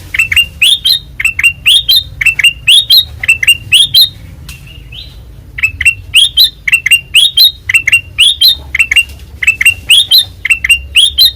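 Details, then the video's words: White-eyed kutilang emas singing loudly and persistently: steady series of sharp, upward-sweeping chirp pairs, briefly pausing near the middle before resuming the same bright chattering rhythm; faint background hum. "Suara Asli Ngeplong Kutilang Emas Mata Putih Gacor Dor"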